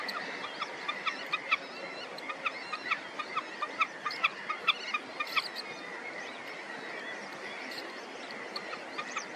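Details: Black-tailed godwit parents on a moor in early May, with chicks already hatched, calling while guarding and protecting their young: sharp, clipped notes repeated about twice a second in uneven bursts over a steady wind hiss.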